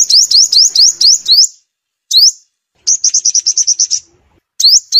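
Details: Sunbird song used as a loudspeaker lure for trapping birds: a fast run of high, rising, whistled sweeps, brief silences, then a rapid chattering trill of short high notes before more rising sweeps.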